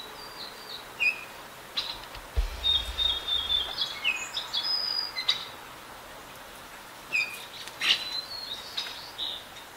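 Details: Adult and juvenile Baltimore orioles singing: scattered clear whistled notes and short chattering bursts at irregular intervals over about ten seconds, some phrases falling in pitch, against a low steady background hiss.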